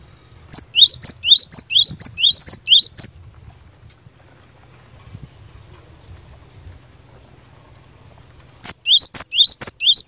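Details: Energetic 'gacor fighter' song of a cinereous tit (glatik batu), used to make rival birds answer quickly: a run of about eight sharp, high two-note phrases, a five-second quiet gap with faint rumble, then four more phrases in the same fast rhythm.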